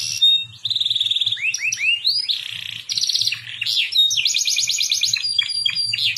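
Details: Canary song played as a lure to teach young canaries to sing: loud, varied phrases of high whistled notes, rapid rising sweeps and fast buzzy trills that shift every second or so, with a faint low pulsing hum underneath.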